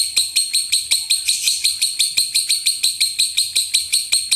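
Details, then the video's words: Lovebird ngekek sound used for training contest birds: an even, continuous run of grating, buzzy high pulses at about three per second, with soft low rumbling and clicks behind. "Masteran loveBird Juara Full 4 Jam"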